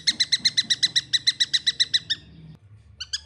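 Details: A juvenile long-tailed shrike repeats coarse, nasal chirps at a brisk steady pace, stops for half a second, then starts again with a few more notes.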